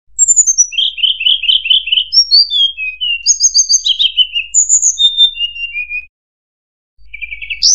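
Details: Mangrove whistler (Pachycephala cinerea), call used as a lure sound: a fast, varied run of high, clear whistled notes, many slurring downward, with a brief pause before resuming.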